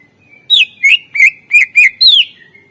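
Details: Greater green leafbird in 'isian' song used as a master to get lazy birds singing: six loud, rhythmic whistled notes about a third of a second apart, mostly wavering, the last sweeping down.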